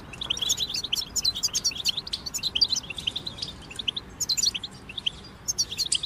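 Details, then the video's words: European goldfinches singing as a group, meant to help goldfinches sing during moult; dense rapid twittering, high tinkling notes running together in long lively phrases with short pauses. "بتبتة جماعية تساعد الحسون على التغريد والخروج من مرحلة غيار الريش"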